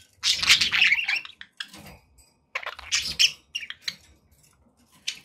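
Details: Pet budgerigars chattering indoors: dense buzzy bursts of chirps and squawks, with a quieter gap between two long phrases.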